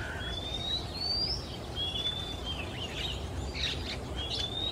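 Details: Singing male Oriental Magpie-robin in Singapore, afternoon, flitting between perches. Quick series of high, thin rising whistles, four within five seconds, plus brief chattering notes over background noise.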